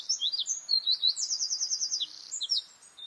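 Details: A bluethroat sings a lively, high-pitched phrase mixing quick sweeping chirps with a rapid rattle of repeated notes, then a few descending squeaks; the recording is otherwise clean.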